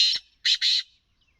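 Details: Black francolin calling: three harsh, grating bursts, one then a close pair, with silence after.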